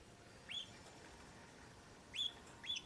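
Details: Cheerful, energetic pet parakeet giving three short, high, upward-sweeping chirps, one alone and then a pair spaced about half a second apart, over quiet indoor background hiss.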